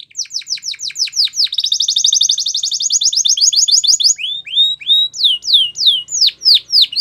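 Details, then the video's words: A Belgian canary sings a rapid rolling trill of steeply slurred notes that quickens into a dense buzzy roll, then slows into separate rising and falling swooping whistles. "Nature Birds Sound Of Canary | Belgian Canary Singing"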